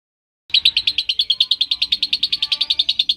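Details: Lovebird in long-duration ngekek singing, played to provoke other lovebirds into singing: after a brief silence, a fast unbroken run of sharp, harsh chirps comes about eight times per second, each note stressed and evenly spaced.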